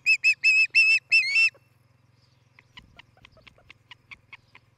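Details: Osprey calling at its nest in Charlo, Montana, on a nest cam, morning of 11 July 2018: five or six strong whistled notes in quick succession, then a train of much fainter, shorter chirps over a low hum.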